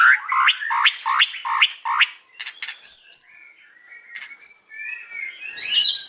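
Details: Afternoon song of a white-rumped shama: a run of loud repeated upslurred notes, then sparse high chips and soft low warbling ending in a bright rising flourish.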